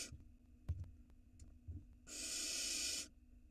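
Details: Barn owl nestling on an Israeli nest cam in 2022 while gulping down a gigantic rat; soft knocks and rustles first, then a single rasping hiss lasting about one second.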